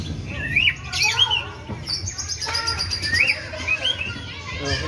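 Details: White-rumped shama imitating a sooty-headed bulbul: clear, looping whistled phrases that rise then dip, repeated in short bursts and separated by pauses, over a low background hum.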